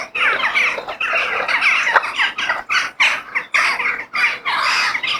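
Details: Crows in nature producing loud, raspy caws in separate bursts of about half a second, with brief gaps between calls.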